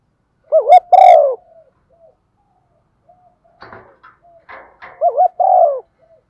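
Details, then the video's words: Female spotted dove coo for luring males into calling when wind and rain keep them quiet: a quick double note followed by a long, falling coo, repeated twice with faint rustling and clicks between. "tiếng cu gáy mái"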